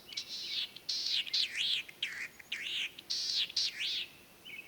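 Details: Latham's snipe calling from hiding in the Senjogahara marsh, Oku-Nikko, Japan, on 9 May 2020, a spring breeding migrant: about eight loud, harsh, arched rasping notes in quick succession, each dipping and rising, with short gaps between.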